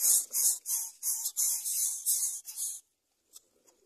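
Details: Greater coucal chicks, whose parent cannot find enough food for all of them, give harsh, hissing rasps in quick bursts, about three a second, for nearly three seconds, then fall quiet apart from faint rustling. Finding: Greater coucal.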